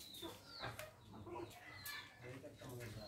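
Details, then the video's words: Indian ringneck parrot (rose-ringed parakeet), one of a pet pair, chattering in short, speech-like bursts with a few high, scratchy squawks over a low background murmur. "Beautiful parrot talking"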